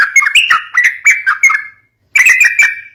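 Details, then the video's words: Sooty-headed bulbul used to stir up young birds. Short, bubbly whistled phrases that slur downward are repeated quickly, then a brief silence, then another rolling phrase. "COCOK BUAT PANCING BURUNG TRUCUK MUDA"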